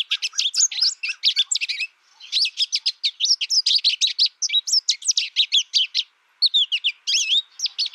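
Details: Captive American goldfinch raised in isolation in its first year, learning from a recording with no contact with other birds, sings a long, rapid run of high twittering and warbled notes with sweeping squeaky slurs, pausing briefly twice.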